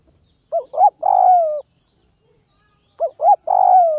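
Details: Spotted dove of the Tây Bắc (Northwest) region, being tamed by feeding: two complete coo phrases about 2.5 seconds apart, each with two brief upswept notes and then a drawn-out, slightly descending hollow coo, with a clean, silent background.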